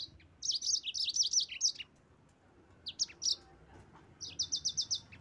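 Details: Yellow-fronted canary singing to draw rival birds into song: fast runs of high, sharp chirps in three bursts separated by brief pauses.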